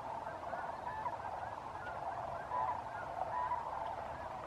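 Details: Large flock of sandhill cranes near sundown at Bosque del Apache NWR, Socorro County, New Mexico, 8 December 2015, with snow geese and mallards present: dense, steady overlapping rolling trumpeting calls, a few louder bugles standing out.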